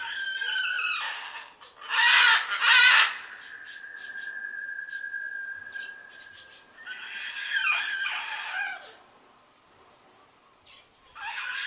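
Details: Big caged bird on a back porch, described by neighbours as crying for over ten minutes: loud grating squawks, then a long steady whistled note lasting about three seconds, followed by more harsh screeches.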